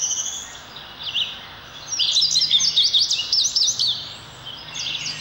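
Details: Indigo bunting singing: a faint high note opens, then a bright, fast phrase of sharp, paired, slurred chirps runs for about two seconds, followed by the start of another phrase.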